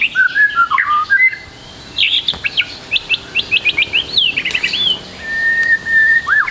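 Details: Song of a White-rumped shama used to train a young speckled bird: opening slurred whistles, then a quick series of bright repeated upswept notes, ending in a long steady whistle with a final drop.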